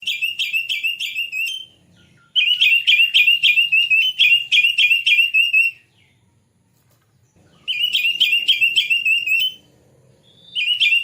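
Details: White-rumped shama song used as a lure to bring on singing and tail opening: loud, clear whistled phrases of quick repeated warbling notes, each burst lasting several seconds, separated by pauses.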